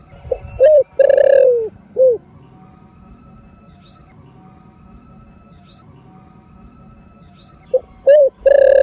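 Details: A spotted dove crows in two three-part cooing phrases, a short note, a longer rolling coo, then a brief final note, with a long pause between; the recording is meant to stimulate other doves to sing. Faint high chirps sound in the background.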